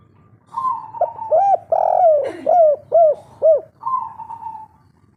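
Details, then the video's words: Lively local spotted dove singing kuk-3 style song: a sustained coo opens into a rapid series of five or six looping, rising-and-falling hoots, then a trailing falling coo, all clear and close with a low background hum. "Derkuku kuk3 lokal gacor ngamuk suara asli"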